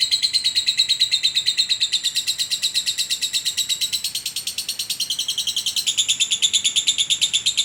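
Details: Long-duration ngekek of a contest-winning lovebird from Sragen, whose song can run past two minutes: a steady, fast, high-pitched chattering rattle, continuous throughout with even pulses.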